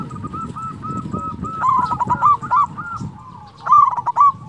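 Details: Local Zebra Dove in full song, big melodious voice, used as a lure to prompt quiet doves to sing: clusters of short tonal cooing notes near one pitch, a louder burst midway and near the end, with other doves cooing softly behind.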